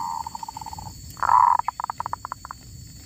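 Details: Zebra dove recorded while trapping wild birds, with a wild female caught: a run of soft even coos, then a loud burst followed by a string of rapid pulsed notes slowing toward the end. A steady high hiss sits in the background.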